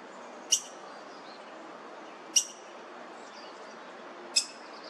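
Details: Black-headed grosbeak at a nest with about three chicks in a front-yard laurel, South Eugene, 26 June 2023, male and female feeding young: three sharp, high, squeaky 'pik' notes about two seconds apart over steady hiss from distant pressure washing.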